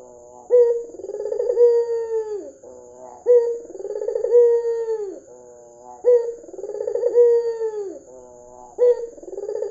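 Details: Red-eyed white dove in vigorous voice, the recording meant as a lure to make doves call. Deep purring coos with a sustained, slowly falling note come in regular phrases about every two and a half seconds over a faint steady high whine.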